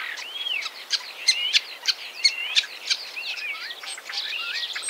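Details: Common Starling singing: a busy medley of whistled slurs, rising and falling glides and sharp clicks, with loud chirped notes repeated roughly every third of a second over a varied warbling background.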